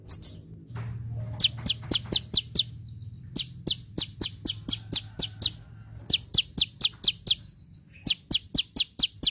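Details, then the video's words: Sunbird in lively song, recorded to lure birds and prompt silent ones: long runs of rapid, sharp descending high chips, about two per second, broken by brief pauses, over a low steady hum. "SUARA BURUNG KOLIBRI GACOR‼️ [bisa buat pikat & yg males bunyi"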